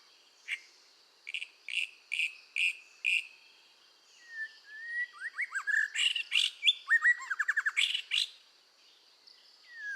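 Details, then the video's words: Red-whiskered bulbul song for voice training: a few spaced buzzy chirps, then a pause, then a lively run of rising whistles and a fast stuttering trill, over a constant high background hum. "tiếng chim chèo lửa hót căng luyện giọng kích lửa"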